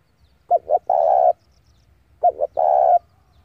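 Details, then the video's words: Spotted dove decoy bird calling wild rivals in to fight: two coos, each two short notes followed by a long sustained mid-pitched hoot. "tiếng chim cu gáy gọi bổi về cội để đấu của con chim cu gáy mồi giọng gáy hay cực chuẩn kích bổi"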